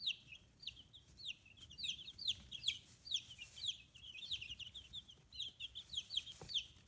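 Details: Brood of 15-day-old chicks on a small free-range farm in Kitahiroshima, Hiroshima, Japan; many overlapping shrill chirps sliding downward, rapid and continuous, with quiet background noise.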